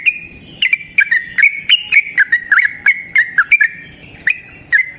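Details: Yellow-vented bulbul singing a long 'ropel panjang' run, played to lure other bulbuls into song: fast, bright, slightly wavering chirps in a steady stream that thins to a few spaced notes at the close.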